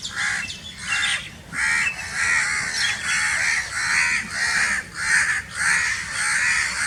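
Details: Loud crow cawing, a rapid run of rough, hoarse calls following one another with little pause, somewhat overlapping, as though several birds call together.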